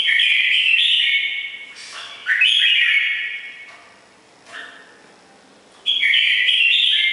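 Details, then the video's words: Red-whiskered bulbul of the củ đậu type with a ringing, bell-like voice, singing loud bursts of rich warbled whistles in two phrases separated by a quieter pause. "CM củ đậu giọng chuông vang"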